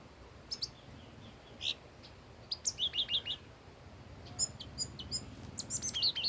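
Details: Red-whiskered bulbul, an old wild bird, in song: loud clipped whistled notes strung into rapid rising-falling phrases, several in quick succession, with sharp higher chirps overlapping near the end.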